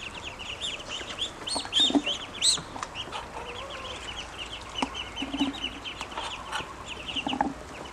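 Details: Several grown ducklings peeping when hungry, high piping notes repeated constantly across eight seconds, some louder shrill squeaks near the start, with scattered taps and low rustling.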